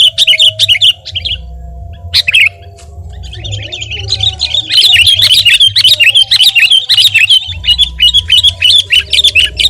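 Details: Gacor song of a Sooty-headed bulbul, played to tutor and provoke other birds: brisk whistled phrases, a short lull, then a long, busy stream of bright slurred notes above a faint low hum.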